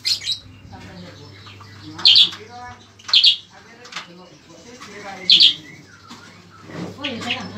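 Black-winged Flycatcher-shrike giving short, high, chattering bursts about every one to two seconds, over a low electrical hum and faint background voices.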